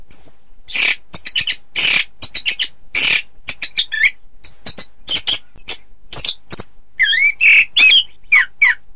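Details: Orange-headed thrush contest-training song: a fast, chattering medley of clipped, buzzy and scratchy notes, closing with looping whistled phrases that swoop up and down.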